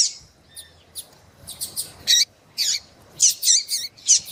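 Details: A female Double-collared Seedeater calls to excite a male, giving faint high notes that build into louder, rough chirps roughly twice a second.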